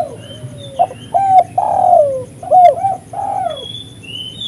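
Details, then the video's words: Spotted dove calling steadily, used to lure wild doves: a rhythmic series of low hollow coos, a long downslurred note in the middle, then shorter paired coos. Thin high whistles from another bird appear faintly. "suara burung tekukur gacor paling ampuh untuk pikat dan pancingan"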